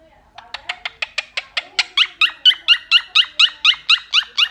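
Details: Pet blue Quaker parrot chattering to its friends: a rapid series of about seventeen short, squeaky chirps, each bent sharply, quickening and growing louder through the sequence, in a quiet room.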